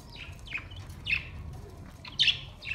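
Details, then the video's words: Budgies singing, giving a string of short, descending chirped notes about every half second, the loudest near the end, over quiet low background noise. "Beautiful budgies relaxing song beautiful sinning and sound"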